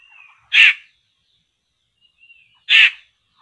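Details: Trapping site for poksay laughingthrushes: two hoarse, abrupt rasping calls a little over two seconds apart, preceded by a brief thin whistle, background otherwise still.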